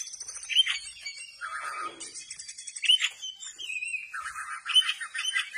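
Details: Kacer, the Oriental magpie-robin, with tail spread, mixing sharp whistled notes with low buzzy rattling phrases in a slower, halting sequence.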